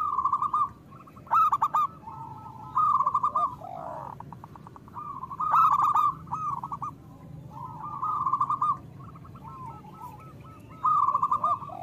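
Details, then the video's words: Local Indonesian zebra dove song meant to stimulate other doves to sing. Loud rolling coo phrases recur every two to three seconds, interleaved with softer overlapping trills from other doves. "Perkutut lokal gacor Suara Besar Pancingan Dijamin Langsung Gacor"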